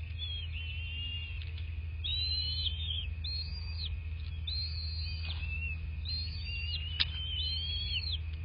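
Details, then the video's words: Bald eagle nest in southwest Florida on 26 February 2024, around 09:21, via nest cam: high whistled notes rising and falling in arched phrases, repeated several times, over a steady hum and a low rumbling backdrop, with one sharp click. "Eagle Country Bald Eagles (Nest Cam)"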